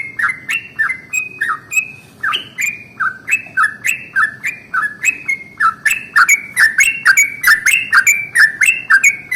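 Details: Morning long-roll song of a yellow-vented bulbul used to provoke other bulbuls: cheerful, liquid notes rising and falling in quick succession, growing louder and denser toward the end.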